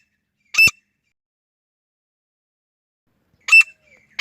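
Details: Female grey francolin, offered as a hunting sound: short harsh squawking notes with a strong ringing tone and bright overtones, one at half a second, then another near 3.5 seconds and a third cut off at the end, against total silence.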